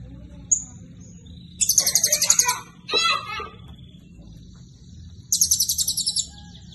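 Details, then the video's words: Blue-crowned hanging parrot in full song with cililin-style material: very high, rapid trills of about ten sharp notes per second in roughly one-second bursts, broken by a harsher, lower chattering phrase. "Serindit Gacor Isian Cililin"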